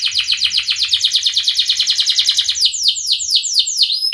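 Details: Canary song used as therapy to get silent canaries singing: a dense run of quick high rolling notes, then slower sweeping downward whistles about three per second to the close.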